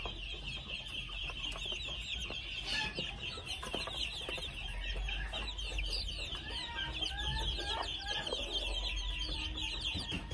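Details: Red junglefowl chicks, two months old, keep up constant high peeping, joined in the second half by short, clear, whistled notes at a lower pitch, over a shrill drone and low rumble.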